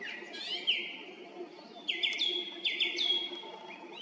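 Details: On 18 April 2021 at 18:50 a song thrush sings from a treetop near the Red Lakes road, Zarechny; clear fluting whistles, a phrase repeated two or three times in a row with rising starts, low hum behind.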